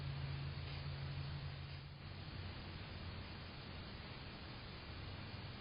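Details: Steady broadband hiss over a low humming rumble, like distant traffic, with no animal sounds.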